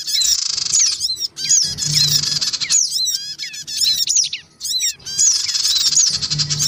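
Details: Male, female and young black-winged cuckooshrikes calling noisily in a lure recording meant to draw small birds in: rasping, hissy squawks that run almost continuously, laced with sharp rising chirps and brief pauses.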